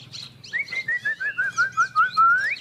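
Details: Chinese hwamei, two birds singing competitively: a rhythmic series of about ten short whistled notes stepping gradually downward in pitch, ending in a rising slurred whistle, with faint higher notes above.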